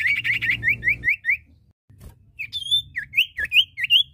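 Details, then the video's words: Common iora pair, male and female, giving a quick run of short rising whistles, then after a brief gap a varied series of upslurred and looping whistled notes, with a low hum under the first second. "Suara Burung cipoh/sirtu jantan dan betina gacor!"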